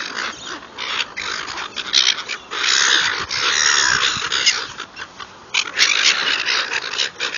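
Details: Feeding gulls in a dense, noisy chorus of harsh, grating cries that blur together in continuous waves, with brief louder squeals breaking through.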